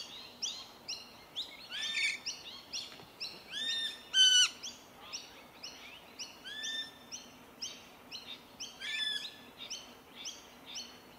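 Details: Feeding flock of Rainbow Lorikeets on tree violet berries, Melbourne, Victoria, January 2021: rasping screeches repeated about twice a second, some louder squeals standing out, over a quiet, steady background.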